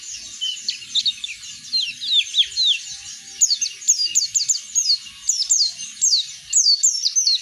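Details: Oriental white-eye in full 'ngeplong' song, played to get other birds singing. Fast, shrill chatter of descending slurred notes, grouped in quick bursts, with brief gaps between the bursts.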